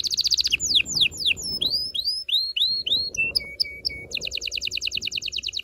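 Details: Canary singing to excite females and males before mating: quick trill, varied downward and arching swoops, short low whistles, then a rapid repeated chirping trill.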